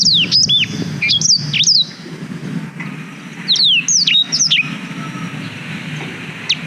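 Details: Black-throated canary singing, filmed on a GoPro Hero 5 as tutoring material for canaries: short groups of high descending whistled notes and chips, separated by quieter stretches, with a steady low hum in the background.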